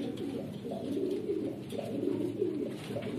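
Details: Red Lahore Siraji pigeons, a domesticated fancy pigeon breed, giving a continuous low, throaty, warbling coo with rolling swells throughout, little else audible.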